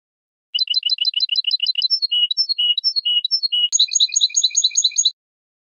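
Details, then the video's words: Malaga-style European goldfinch song for young birds to learn: quick repeated paired chirps, then slower liquid tweets, then a fast bright twittering series, all high and clean against silence. "Copia malaga élégante para memorización niños de pájaros ( Jilguero y Mixto) CD Goldfinch 1h singing"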